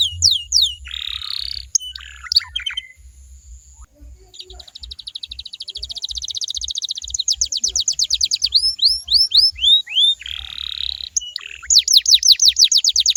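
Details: Canary song meant to draw replies from other canaries: varied phrases of buzzy rolls, a long rising run of quick high notes, upward-curving whistles and closing fast downslurs, with low rhythmic thumping throughout.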